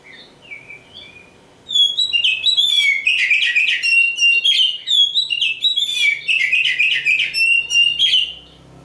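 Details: Song of a champion kacer, the oriental magpie-robin: soft introductory whistles, then from under two seconds a loud, energetic outpouring of rich whistles, quick trills and harsh chatters, phrases tumbling rapidly one after another.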